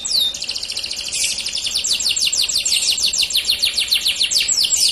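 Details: Dark-coloured male canary singing: a rapid series of high, sweeping whistled notes that become a fast, even trill of downward slurs, about three to four per second, with steady volume throughout.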